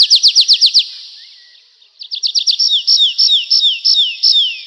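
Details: Nightingale song in two phrases: a quick volley of about six sharp notes, a short silence, then a rapid burst leading into a series of clear whistles that each slide down in pitch.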